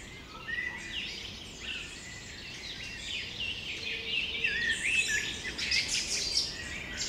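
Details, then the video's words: Spring birds singing in a flower field at Carlsbad, California, USA: scattered thin whistles and short twittering phrases, some rising or falling, over a steady background hiss. "Spring Birds 1 Singing in Flower Field"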